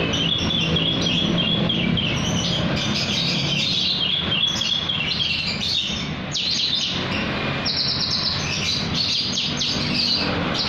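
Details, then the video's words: Javan bush lark singing at night: a dense run of high chirps and short whistled phrases, with bursts of buzzy notes near the end, over a steady low rumbling hum. "Branjangan malem juga bunyi"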